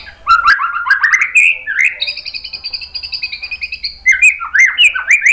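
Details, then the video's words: White-rumped shama singing in a recording meant to stir other shamas into a response. Quick rising slurred notes lead into a sustained buzzy trill, then a string of sharp upward-sweeping chirps. "MASTERAN MURAI BATU biar EMOSI NYAUT jadi GACOR BONGKAR TEMBAKAN ¦ PANCINGAN MURAI"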